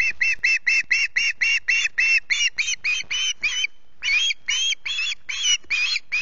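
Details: An osprey chick, hungry in the early morning of 14 August at Loch Garten, gives a long unbroken series of hoarse, strident screeches, roughly four per second, slowing slightly and growing rougher toward the end.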